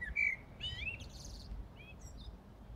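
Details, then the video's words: A common blackbird sings in the dark of early morning in Brussels, Belgium, on 15 January 2018: low fluty whistles, then a high, squeaky twittering flourish, over a steady low hum. "Blackbird Singing in the Dead of Night"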